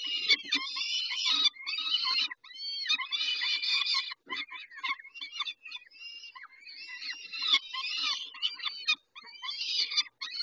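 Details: Peregrine falcons calling at a feeding, Dobra, 11:48, 19 May 2021: an almost continuous stream of grating, wailing screeches with arching whiny notes, barely pausing for ten seconds.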